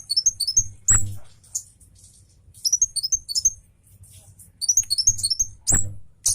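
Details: Agitated Javan cabe orange-headed thrush delivering fast, sharp song bursts as a tutor recording: clusters of high, quick, descending whistled notes in short runs, separated by pauses, with occasional sharp knocks and a low hum beneath.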